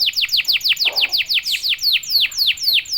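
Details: Canary singing to stir other canaries: a steady series of loud descending whistled notes, about four per second, clear and bright throughout.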